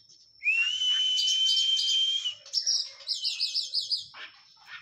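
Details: Oriental magpie-robin in post-moult training opens with a long, clear, level whistle held nearly two seconds, then breaks into a rapid string of looping, warbled notes repeated about three times a second.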